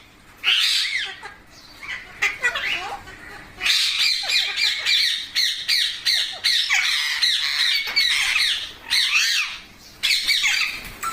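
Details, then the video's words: Pet baby parrots, kept indoors in India and fed milk and rice, give harsh, high squawks in dense overlapping bursts, several calling at once with short pauses, some rising chattering notes between. "Parrot Natural Sounds Compilation | Parrot Sounds |Baby Parrot Sound"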